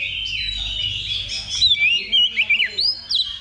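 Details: Oriental magpie-robin at a level 2 contest simulation used as training before competing: after a murmur of distant twittering, a loud series of whistled, sweeping notes bursts out, rising and dropping in quick succession.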